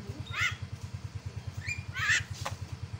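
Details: Myna calling, used as a lure to provoke a rival into calling: two harsh, broadband squawking calls with a thin rising whistle between them, over a steady low rhythmic engine-like thumping.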